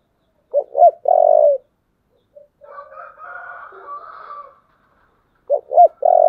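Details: Spotted dove 'giọng thổ' fighting call: two short hooked notes and a loud steady coo, a murmured middle section with a higher, hoarser layered sound, then the same three-part phrase repeated.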